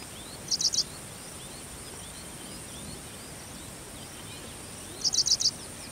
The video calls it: Paddyfield Pipit Call